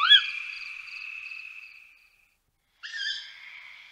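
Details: Tawny owl giving a sharp opening note that becomes a long, fading tone, then silence and a second, shorter call.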